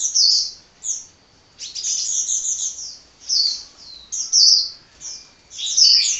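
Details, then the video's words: Hummingbird in constant song, loud high-pitched squeaky bursts and trills, each lasting about a second, with brief silences between. "Kicau Burung Kolibri Ngocehnya Ngedyan Ra Leren Leren"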